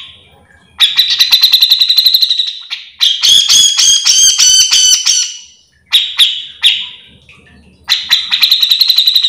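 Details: Grey-cheeked bulbul (cucak jenggot) singing nonstop, used to train or stir up others of its kind: rapid buzzy chattering trills, then a loud harsh rasping burst with layered overtones, short sharp notes, and another fast chattering run.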